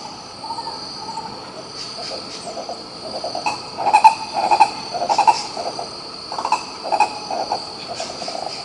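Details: Green ibis from Pirenópolis, Goiás, Brazil: soft hoots at first, then a loud burst of grating, repeated notes, easing into scattered softer calls, all over a constant shrill insect background.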